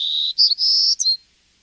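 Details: Golden-cheeked Warbler, first of its two distinct song types, played from a reference recording: a high steady buzz, then short higher buzzy notes, a long thin high buzz, and a brief falling end note, about one second overall.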